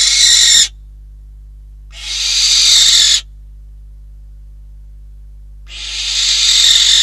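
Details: Barn owls at the nest in Catalonia, December 2021, prey being brought in: three loud, rasping hiss-screeches, each over a second long, spaced a few seconds apart with quiet gaps.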